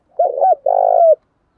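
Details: Single 'giọng thổ' phrase from a spotted dove: a low throaty two-part opening coo followed by a long, rough, trembling coo ending in a falling slur, in silence.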